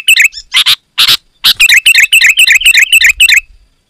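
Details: Sooty-headed bulbul, dense and loud song for calling wild bulbuls: a few harsh rasping notes, then a steady, rapid series of identical bubbly phrases, roughly four per second.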